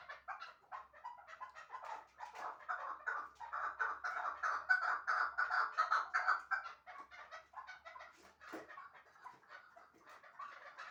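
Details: Loud, close chuckling from a pair of Shahritus hunting chukars, the prized 'mastak' birds: quick repeated chuck notes build to a dense peak midway, then thin out toward the end.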